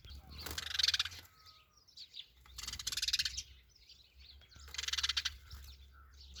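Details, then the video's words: Sparrow calling in three rough, scratchy chirping bursts spaced roughly two seconds apart, over a steady low hum. "Funny Sparrow"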